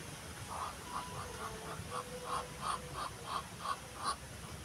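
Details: Muscovy duck (Cairina moschata) giving a run of short, soft nasal notes, about three a second and slightly uneven, over low background rumble, during mating behaviour.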